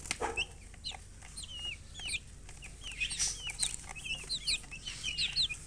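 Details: Baby chicks peeping in a group: a steady stream of thin, high, sliding chirps, many bending down or looping, overlapping from several birds, with a few brief hissy rustles.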